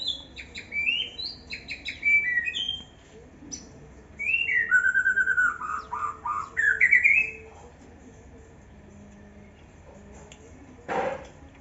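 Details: Juvenile white-rumped shama singing in an aviary, a varied run of quick whistles, rapid trilled stutters and looping slurred notes in separate bursts, ending after a pause with one sharp click-like sound.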